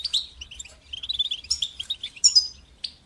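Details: Syrian European goldfinch song used to teach young goldfinches to sing: bright, rapid twittering of high, tinkling notes and short trills in quick jumbled bursts, with a brief pause and a final sharp chirp.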